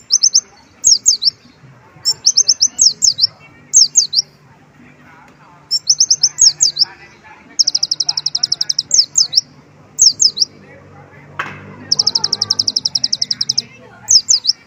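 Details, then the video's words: Sustained sunbird singing laced with white-eye mimicry, alternating quick high chirp groups, pairs of descending slurred whistles and two long, fast, even trills, with a single sharp click-like sound near the middle. "konin gacor isian pleci"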